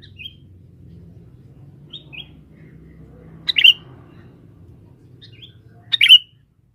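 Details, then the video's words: Forest lure bird, a male sooty-headed bulbul used to attract females: soft, short whistled notes early on, then two loud chirped bursts roughly two and a half seconds apart, with faint low hum behind. "pikat burung kutilang jantan buat pancingan di dalam hutan"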